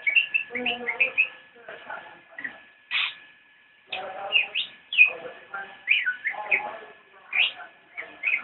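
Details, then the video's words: Cicak rowo (Javan white-eye) in full nyinden song: dense, energetic phrases of high twittering, slurred whistles and sharp chirps, repeated with brief gaps, over a faint constant hum. "Video Cicak rowo nyinden for you"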